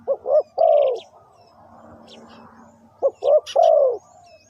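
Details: Spotted dove calling as a trapping lure: two hoarse coo phrases, each with clipped opening notes and a long sagging final coo, separated by a quiet gap with faint chirping.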